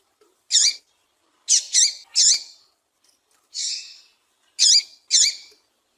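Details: Calls of a female double-collared seedeater, used to get a male singing: clear, high, bright chirps given singly and in rapid doublets and triplets, plus one softer, rasping note, on a quiet background.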